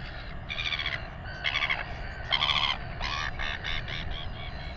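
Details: Royal albatross chick in New Zealand begging while being fed by its father, during a weighing: a series of about seven harsh, nasal, harmonic squawks in quick, uneven bursts, over steady low wind rumble.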